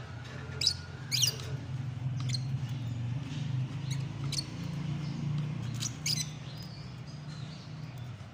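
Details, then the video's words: Lovebirds give sharp, shrill chirps and squeaks, scattered about once a second, over a steady low mechanical hum. "lovebird sounds"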